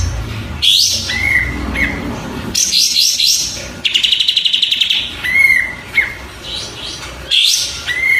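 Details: Oriental white-eye singing for a tutor recording: whistled notes, bursts of bright chattering phrases and a rapid buzzy rattling trill, repeated with short pauses between phrases.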